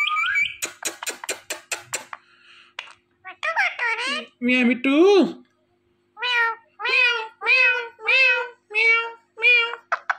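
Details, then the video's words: Indian ringneck parrot chatters: fast clicking and squeaky notes, then rough mimicked syllables, followed by a steady series of short meow-like nasal calls about every half second. "Indian Ringneck Parrot Talking"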